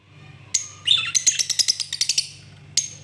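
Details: Lovebirds making loud, shrill high chirps: a sharp whistled note, then a rapid run of about ten clipped chirps, ending with one more piercing call. Faint low hum underneath.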